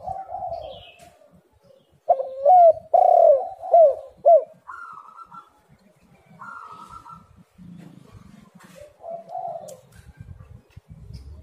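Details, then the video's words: Lure call of a spotted dove, meant to set lazy doves calling: a soft opening coo, then a burst of five or six loud, curved, hollow notes, a couple of higher steady tones and a quieter trailing coo over low background rumble. "tekukur super gacor Suara HAS pancingan untuk burung yang malas bunyi"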